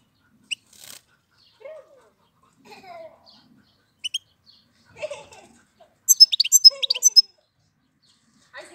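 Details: European goldfinch song in April, sparse high chirps and short twittering notes spread through quiet, building to a fast, dense, liquid trill near the end; a few lower soft sounds between.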